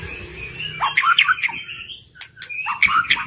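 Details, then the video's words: White-rumped shama song meant to coax hesitant birds into singing: rich slurred whistles and quick liquid notes in two phrases separated by a short gap, with a faint steady hum beneath. "PANCINGAN MURAI BATU MERANGSANG BURUNG YANG SUSAH BUNYI LANGSUNG IKUT BONGKAR ISIAN"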